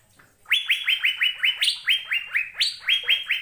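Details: Asian fairy-bluebird singing in a recording meant to coax caged birds into song. It gives a steady run of rapid rising whistled notes, each sweeping up and flattening out. Two or three notes jump higher than the rest.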